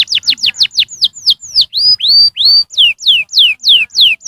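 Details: Canary singing, meant to encourage young canaries to sing: rapid down-slurred notes, then slower loud arched and descending whistles repeated at an even pace.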